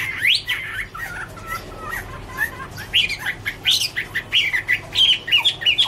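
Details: Chinese hwamei (Garrulax canorus) autumn singing: scattered rising whistles and rough chattering at first, then a string of short, sharp whistled notes repeated roughly every half second, against a noisy low background.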